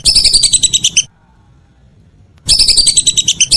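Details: A whistling duck in the evening gives a second-long burst of rapid, piercing whistled notes. After a silent gap of over a second, another similar burst follows.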